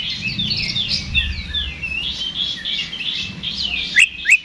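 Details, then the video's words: Oriental magpie-robin in vigorous ngeplong fighting song, used as a lure to rouse another bird's emotion and provoke a response: dense, busy warbling of rapid high chirps and slurred whistles, two sharp louder notes near the end, low background hum. "KACER GACOR NGEPLONG TARUNG !! PANCINGAN KACER PALING AMPUH BUAT MENAIKAN EMOSI KACER AUTO RESPON"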